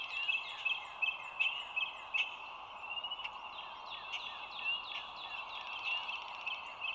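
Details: Bald eagle on a live overhead eagle cam, recorded at 07:16 on 25 March 2022; bursts of high, piping chirps in quick irregular runs, several sharp clicks, with constant low hiss underneath.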